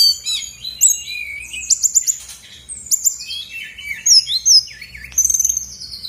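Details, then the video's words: Loud lure song of a female brown-chested jungle flycatcher from Bali, meant to make idle birds sing back. Dense stream of high slurred whistles and quick notes, ending with a rapid buzzy series of repeated ticks. "PANCINGAN SRDC GACOR BONGKAR ISIAN/BURUNG MALAS BUNYI AUTO EMOSI RESPON NYAUT!!!"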